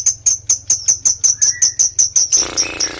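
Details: Lovebird calling as a lure for other lovebirds, giving sharp high chips about five times a second in a steady run, then breaking into a dense rattling trill at the end.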